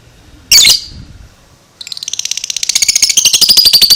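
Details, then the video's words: A two-month-old young lovebird: a single loud squawk, a pause, then a fast rapid chatter of high notes that builds in strength, the ngekek trill. "LOVEBIRD ini sekali BUNYI, Lovebird 2 Bulan gak BAKALAN DIAM, Langsung NYAUT NGEKEK"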